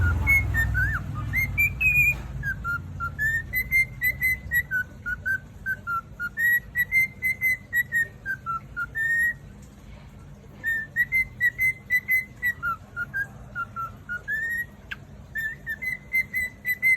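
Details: A cockatiel sings, whistling the tune of a Thai song in clear, rising and falling notes in quick succession.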